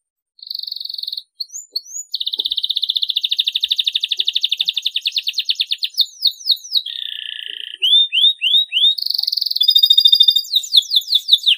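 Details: Canary song played to get silent canaries singing: clean high whistled tones, then a long fast trill, descending swept notes, a lower buzzy double-toned phrase and further rapid trills, with no other sounds.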